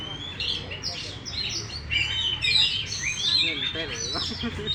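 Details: A caged oriental magpie-robin, a song-contest winner displaying a fully opened tail, gives a tumbling phrase of scratchy chirps and bright whistled notes, with a faint low hum behind.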